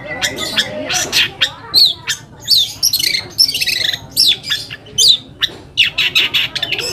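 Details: Long-tailed shrike singing as a lure to stir other shrikes into answering: rasping, grating phrases mixed with bright slurred whistles and chatter, bursts every half second or so.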